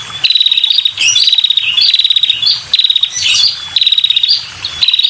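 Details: Lure call of a female red-headed prinia aimed at males: insistent high rattling trills of rapid ticks, mixed with sharp chirps, repeated almost without pause.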